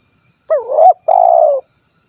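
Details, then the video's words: Spotted dove, 'kuk 1' style, Cilacap in Central Java, Indonesia. Two linked coos: a wavering, rising first note, then a longer, slightly vibrating coo that gently falls at its end. A thin high-pitched hum runs underneath. "SUARA BURUNG TEKUKUR / DERKUKU KUK 1 GACOR"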